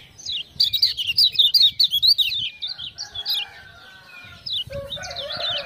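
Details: Prompted by "ciak-ciak" sounds, a Lemon-bellied white-eye from Lombok pours out loud, rapid chattering warbles, followed by a quieter stretch with low steady tones, then further high twittering notes.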